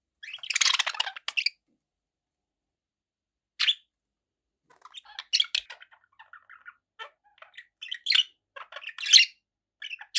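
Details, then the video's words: Budgie sounds open with a loud grating burst of chirps. Scattered thin squeaks and short chirps follow after a pause. "budgie sounds"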